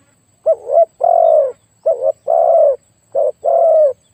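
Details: Spotted dove used in decoy luring, noted for a very deep, big voice: low cooing phrases, each a short warbled note then a longer steady coo, repeated three times in quick pairs.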